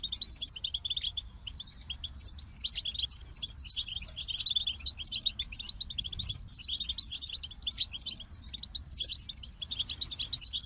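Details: Goldfinch song: a fast, continuous twittering of high, tinkling chirps and short trills, rapid notes packed closely together and running without pause throughout.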